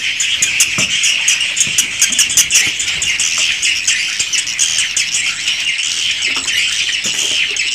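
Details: Original recording from inside a private swiftlet house: many swiftlets twittering at once, a busy high chatter broken by sharp clicking ticks, steady in loudness, with a faint low hum.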